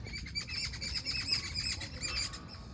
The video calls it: sound of birds in the morning